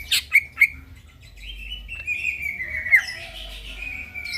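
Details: At midnight, a greater green leafbird gives a few loud sharp chips, then a long wavering whistled warble that slides down and back up, over a faint low hum.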